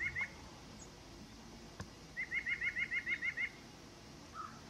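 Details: White-breasted nuthatch song: two quick nasal notes, a pause, then a fast even run of about nine identical whistled notes, each slightly rising and falling, with one lower note at the end; quiet background.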